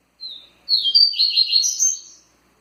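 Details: A single thin opening note from a kept double-collared seedeater, then a dense, rapid jumble of high twittering notes for about a second and a half, in the Tui Tui song style.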